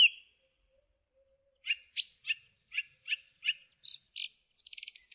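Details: Song thrush song: a lone whistle, then a run of six short sharp notes, a doubled high buzzy phrase and a fast rattling finish.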